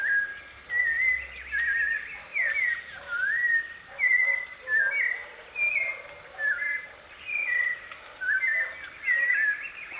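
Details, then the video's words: Wild white-necked thrush recorded live in nature delivering a steady run of whistled phrases, each a short slurred motif, spaced roughly a second apart for ten seconds, with a low hum early on. "SABIÁ DE COLEIRA,LIVRE NA NATUREZA,GRAVAÇÃO AO VIVO"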